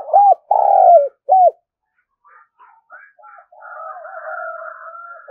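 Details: A spotted dove calls to lure birds: one arched coo, a long loud coo that slides down, then another arched coo. A quieter, wavering two-toned hum fills the rest.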